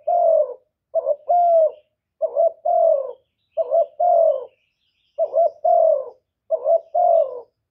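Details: Spotted dove giving its luring coo to stir other kept doves into calling: a short clipped note followed by a longer, mellow, slightly falling coo, the pair repeated about every 1.3 seconds, clean with no background noise.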